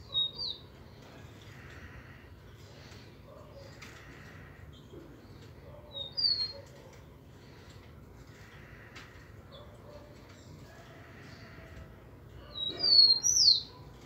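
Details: Rufous-collared sparrow singing: short high whistled phrases near six and thirteen seconds, each a few sharp notes ending in a downslurred whistle, with faint chirps and low background hum between.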